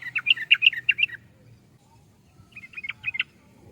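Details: Sooty-headed bulbul: a loud, quick burst of bright, bubbling notes, a pause, then a softer second burst of chirps.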